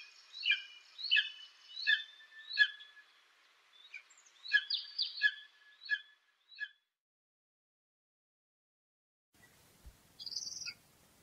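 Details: Repeated ringing down-slurred eagle whistles at an even rhythm, fading out, followed by silence and a brief faint high note over light background noise.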